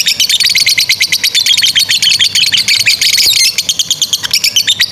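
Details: Lovebird in full 'ngekek' long chatter, a recording meant for tutoring young and stalled lovebirds; dense, fast, scratchy high-pitched chattering with uneven bursts, continuing almost without pause through the clip.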